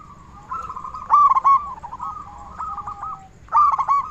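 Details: Local zebra dove, loud-voiced and used as a lure to trigger singing in other zebra doves. Two bursts of rolling coos bracket a stretch of softer, steady cooing in the background.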